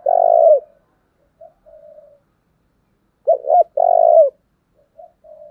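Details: A spotted dove kept as a decoy to lure wild birds. It gives urgent 'thúc' coos: a long low coo trailing off, soft quiet murmurs, then a full phrase of two short notes and a sustained falling coo.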